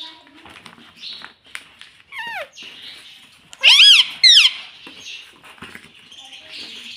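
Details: Talking pet rose-ringed parakeet indoors, known for saying "mummy papa": a soft slurred note, then two loud, shrill, bending syllables close together amid quiet room noise.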